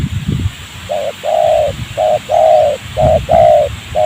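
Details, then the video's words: During trapping in a rubber garden near homes, a spotted dove answers a decoy with a steady run of coos alternating short and longer notes, about one a second, over faint low rustling. "bl ya terlalu emosi tinggi ketika dengar suara ajaran kita"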